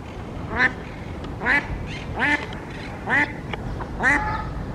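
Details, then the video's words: Mallard quacking, recorded where ruddy shelducks are also present: five harsh, nasal quacks spaced about one second apart, each dropping slightly in pitch, over a low steady background hum. "Graznidos ánade real"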